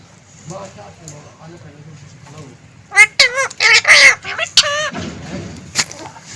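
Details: Green ring-necked parrot talking: soft murmured speech-like sounds give way to a run of loud, raspy, wavering harmonic bursts in the second half.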